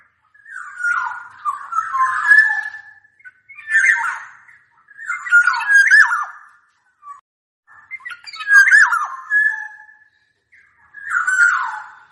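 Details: Oriole song, a kepodang: rich, fluty whistled phrases with slurred warbling notes, delivered in separate bursts about every two seconds with short pauses between, on a quiet background.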